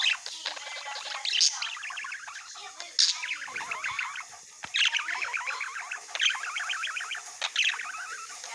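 A budgerigar chatters in a steady run of quick, scratchy warbles, clicks and chirps.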